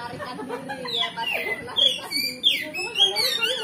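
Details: Oriental magpie-robin in full loud song with varied repertoire, used to rouse other magpie-robins to answer and fight: clear whistled notes and sliding phrases between high chirps, over lower warbling and background chatter.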